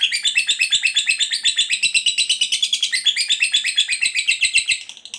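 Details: Lovebird in full ngekek chatter, meant to prompt other lovebirds to respond: fast, rolling, high-pitched pulsed trill, steady throughout and fading slightly at the close.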